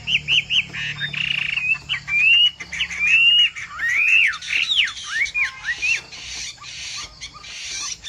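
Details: Chinese hwamei of the 'bộ tam hoàng' kind opens with three quick rising whistles, then long clear warbled phrases and swooping slurs. The song thins into fainter notes over a soft hiss.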